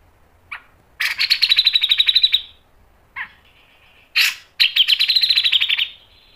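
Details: Grey-cheeked bulbul giving a lure and training song with sharp 'mbeset' phrasing: short harsh bursts alternate with two long buzzy pulsed trills, each about one and a half seconds, separated by brief pauses.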